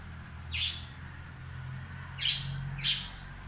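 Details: Cockatiel exploring the house, singing: three brief, high chirps spaced over a few seconds, the last two closer together, over a low household hum.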